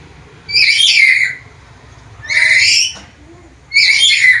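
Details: Harsh screeching from a black-capped lory that can talk and mimic varied sounds: three strong, noisy calls with slightly falling tails, repeated about every one and a half seconds.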